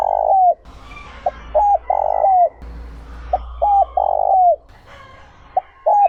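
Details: Spotted dove, 'giọng trơn ròng' voice for rousing wild-caught doves: a run of mellow coo phrases, quick single and double notes followed by a drawn-out coo sliding down, with light twittering of other birds behind.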